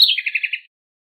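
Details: House wren song used to teach its young: a short high sweep that drops into five quick, evenly repeated chirps, a brief bubbling phrase with clean silence afterward.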